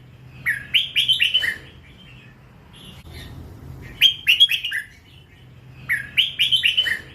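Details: Red-whiskered bulbul, a hybrid young bird still in its first plumage, singing in the lak wai style. It gives three phrases of about six clear, slurred whistles, each rising then falling. The phrases are spaced roughly two seconds apart over a low background hum.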